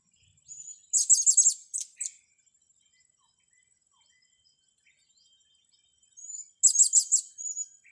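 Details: Blue-crowned hanging parrot used for training young birds: two loud bursts of rapid, shrill, very high twittering, each led in by a short thin whistle, separated by several seconds of near silence.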